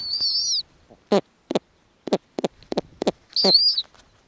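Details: At an Arctic nest, a female snowy owl feeds her newly hatched owlets in small pieces. Two high, quavering, harmonic squeals frame a run of about eight short, sharp, irregular clicks.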